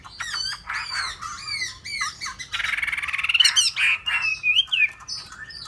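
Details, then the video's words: Hwamei sings a varied run of slurred whistled notes, then a fast rattling trill followed by long, wavering whistles rising and falling. "họa mi"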